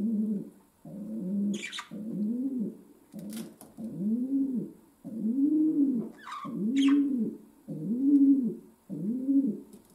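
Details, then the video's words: A pet domestic pigeon indoors gives a steady series of rounded, rising-then-falling coos, about one every second, with a faint camera hum and a couple of brief sharp clicks or scratches. "My Pigeon Pearl Gave A Concert"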